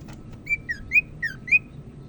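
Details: Greater green leafbird of the Medan type from North Sumatra, Indonesia, a popular songbird singing actively: five clear whistled notes, alternately rising and falling, spaced about a quarter second apart, over a faint steady hum.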